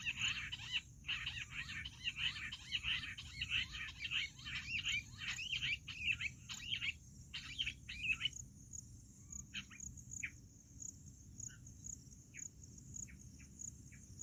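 Jungle bush quail in a dense chorus of high, scratchy chirps for about eight seconds, then scattered single sharp notes every second or so. Faint insect hum underneath.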